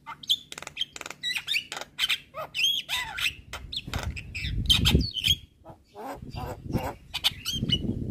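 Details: Javan myna singing energetically on a master recording for hobbyists: rapid harsh chatter and squeaky whistles, with a low rumbling background noise joining in from the middle.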